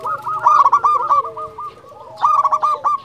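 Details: Local zebra dove, a champion caller used to provoke and lure other zebra doves: rapid rattling run of coos, a pause, then a second stuttering trill, with a quieter dove cooing underneath.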